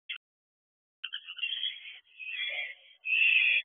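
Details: Barn owls at a nest box at night, 10:20 pm on 2 June 2023, during a quick food delivery; a short harsh burst, then about two and a half seconds of rasping hissy screeching in several bursts.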